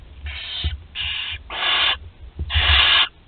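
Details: Thirteen-day-old barn owl chick at Théding, France, 20 July 2020, shown swallowing whole prey: four harsh, breathy hisses of about half a second each, spaced irregularly, with faint thuds underneath.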